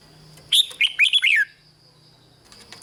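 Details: Red-whiskered bulbul song, played to excite caged birds in Thailand: one short phrase of about a second, rich warbled notes sliding downward, followed by a quiet pause and faint chirps; a steady high tone hums in the background.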